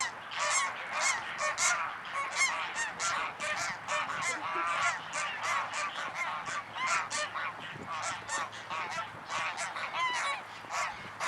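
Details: Several greylag geese honk continuously at Anna Paulowna, Holland, on 9 April 2011. Their loud, nasal calls overlap in rapid succession, with no other clear sounds.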